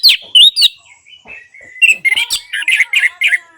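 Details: Orange-headed thrush singing, played to get quiet birds singing. Sharp whistled notes open, then a soft gliding whistle, then a loud, even series of rich whistled notes, roughly four per second.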